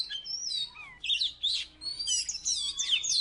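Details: Energetic song from a Salatiga Oriental magpie-robin that once took third place: long sliding whistles, a harsh burst near one second, then overlapping high, wavering whistles, with a soft low hum behind.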